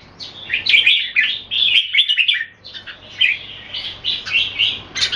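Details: Red-whiskered bulbul kept in Singapore, giving display song in a two-bird contest: lively slurred whistles and chirps in clustered phrases, with a brief pause midway.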